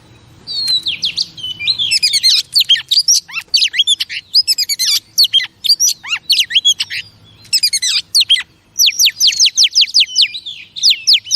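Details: Female oriental magpie-robin in vigorous song to stimulate male pet birds, opening with a soft whistle then bursting into long, dense phrases of swooping whistles, clipped chips and rapid trills with short gaps.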